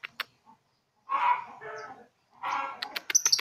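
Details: A juvenile lovebird at three months, still learning to ngekek, makes two short harsh chattering phrases separated by a pause, ending in quick clicks and thin high squeaks.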